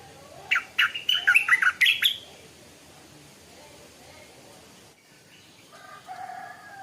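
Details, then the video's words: Morning song of a young caged Stripe-throated bulbul kept as a decoy: a rapid two-second string of sharp, chirpy notes, then near quiet with faint background sounds. "เสียงนกดอกแตงEp.142 กินกาแฟฟังเสียงนกต่อเจ้าตัวเล็กยามเช้า(Stripe-throated Bulbul)"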